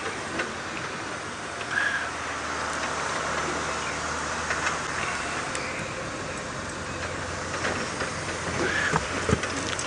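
Steady broadband rumble of a moving vehicle with rattles and clatter; no clear animal voice stands out.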